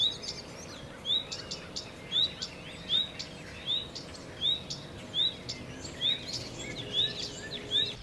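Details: Redstart giving a clear, upslurred whistled note about once every 0.75 seconds, each short and rising, steady and evenly spaced across the recording, over a constant low hum and faint background noise.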